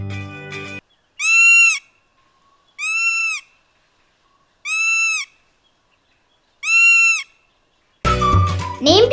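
Lesser Yellownape gives four plaintive, slightly arched whistled notes, one about every 1.8 seconds, with brief music at the start and end.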